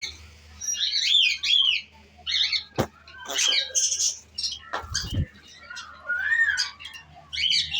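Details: Pet cockatiel kept at home, chirping in short bright bursts with a smooth rising whistle near the end, alongside a few sharp clicks and a low thump.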